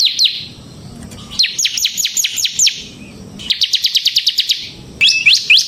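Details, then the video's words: Singing ciblek semi (bar-winged prinia) intended as a lure and master recording: varied phrases of high, fast slurred notes, one quick even trill of about ten notes, separated by quiet gaps. "suara burung CIBLEK SEMI GACOR Ngebren Ampuh untuk Pancingan Ciblek Kristal dan Masteran Ciblek"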